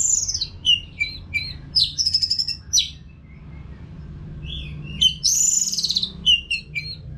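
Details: Orange-headed thrush from North Bali singing continuously, played as training for caged birds: varied slurred whistles and short buzzy trills in two loud bursts separated by a quieter gap, with a steady low hum.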